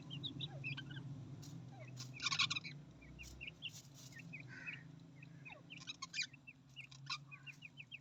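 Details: Australian parrots chattering: many quick high chirps and short rising notes tumble over one another, with one louder harsh squawk partway through, all above a constant low mechanical hum.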